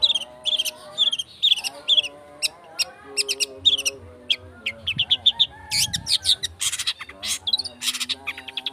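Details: Speed rapet long-tailed shrike lure song for prompting birds to sing: quick-fire high chirps and slurred whistles over a steady run of lower, nasal harmonic notes, with a dense buzzy burst near the sixth second.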